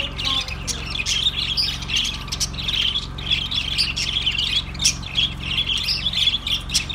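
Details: Budgerigar calls: a continuous, dense chattering warble of high chirps and squeaky notes that swells and dips in loudness, over a low steady hum.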